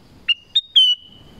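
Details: Black-crested bulbul singing in the forest: three clear whistled notes, the last a long steady high whistle, over near silence.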